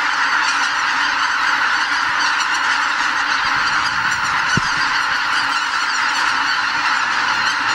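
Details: Greater white-fronted geese, a flock of about 80,000 wild birds on spring migration north, leaving their roost before dawn at Lake Miyajimanuma, a Ramsar wetland in Bibai, Hokkaido, Japan. A dense, unbroken chorus of overlapping high honks at steady loudness, with one brief low thump.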